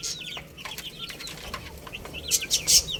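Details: Baby chickens eating and playing; scattered high, short peeps and a few louder chirps near the end, among pecking clicks and a brief rustle of movement.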